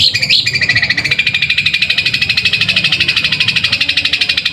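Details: Captive long-tailed shrike at a song contest in Pamekasan, singing in sparrow-like style: a fast, even buzzy rattle of harsh repeated notes, about three per second, over steady low background hum.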